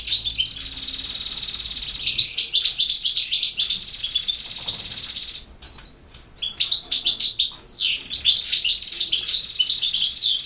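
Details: European goldfinch singing in the campero song style: rapid, liquid twittering with high tinkling notes and buzzy trills, a brief pause near the middle, then renewed bursts of chattering phrases.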